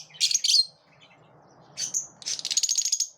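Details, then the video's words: Lovebirds in the morning give a rasping double chirp, a pause, then a squeaky note and a rapid buzzing chatter of quickly repeated high pulses. "Love birds chirp beautifully in the morning"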